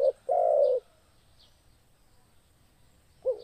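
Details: Spotted dove singing vigorously: a brief low coo, a longer drawn-out mellow coo, then a short rising coo starting after a pause, with faint high thin chirps between them.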